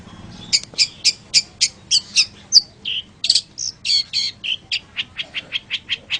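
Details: Long-tailed shrike song meant for training other birds: a steady string of sharp, scratchy notes roughly three per second, mixed with lower buzzy notes and mimicked-sounding chips, speeding into even repeated ticks at the end.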